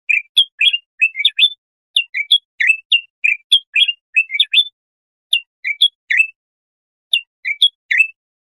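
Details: Bulbul song played for tutoring young goldfinches or hybrids: short clear whistled and chirpy notes in quick two- and three-note groups, with pauses between bursts; no other sounds.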